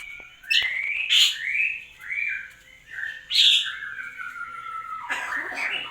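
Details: Common hill myna that mimics speech and coughing, here giving a series of clear whistled notes sliding up and down, punctuated by two brief harsh bursts, and a lower falling phrase to finish.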